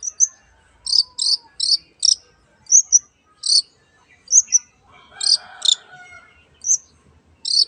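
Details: Long-tailed shrike uttering sharp, very high chipping notes in quick groups of two to four, with thin whistled flicks between them and a faint low murmur in the background.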